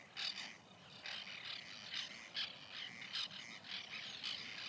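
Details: White-winged terns at a nesting colony in 2021: harsh, rasping bursts repeat roughly every half second to second in an uneven series, with more birds calling underneath.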